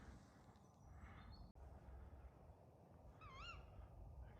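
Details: A tawny owl calls from a tree near a UK campsite at night: a faint, quavering, wavering hoot late in the stretch over a low rumbling background.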